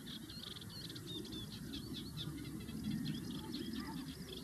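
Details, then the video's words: Sand martins giving a busy run of short, high, dry twittering chirps, many overlapping, above a steady low rumble of background noise. "sand martins"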